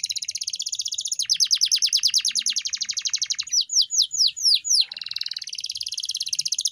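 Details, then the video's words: Canary training song (masteran kenari) for teaching a pet canary to sing: fast rattling trills of rapid downward notes, then a few slower sweeping slurs, ending in a dense buzzy high roll. "Masteran Burung Kenari _ CANARY SINGING"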